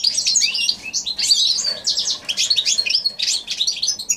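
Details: Hybrid of goldfinch and canary, recorded January 2016, pouring out a high, jumbled twittering song of quick chirps, slurred notes and brief trills with barely any gaps.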